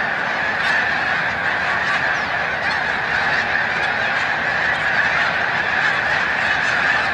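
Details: A huge flock of migrating snow geese at Montezuma, New York, on March 7, 2022, taking flight; an unbroken din of high, barking honks from many birds at once.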